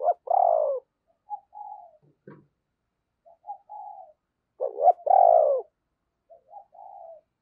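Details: Spotted dove used as a decoy to lure wild doves. Its cooing phrase plays twice: a loud bending coo followed by softer paired notes and a smooth drawn-out coo. A brief knock sounds between the phrases.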